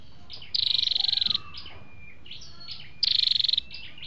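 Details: Flowerpeckers on a trapping lure recording with male and female voices: two long, rapidly pulsed high trills separated by soft sliding whistles and chips.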